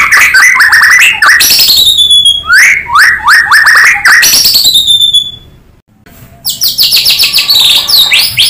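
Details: A white-rumped shama's natural song used to prompt other shamas to sing: bright, powerful whistled phrases with swooping slurs and quick chattering runs, a brief pause near the end, then renewed rapid notes.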